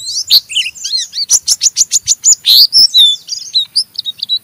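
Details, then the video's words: Rough ngeriwik chatter from an Oriental white-eye, used to stimulate an untrained white-eye to sing: loud, high, scratchy twitters, then a rapid run of sharp repeated clicks before buzzy rising and falling notes. "Burung Pleci Ngeriwik Gacor merangsang Pleci Bahan ikut Ngeriwik Sampai Buka paruh"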